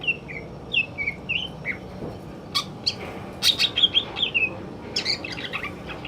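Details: Male greater green leafbird singing in the afternoon: clear whistled, slurred notes in short descending phrases, then a quicker run of sharp chirps and bright tweets over a quiet background.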